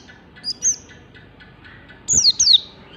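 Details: Morning song of an Oriental white-eye, used to train caged birds to learn sounds: two soft high notes, a pause, then a pair of bright, steeply falling chirps.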